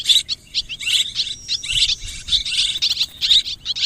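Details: Several swiftlets twittering, high chirps with thin whistled notes in irregular bursts, busier and more overlapping near the end.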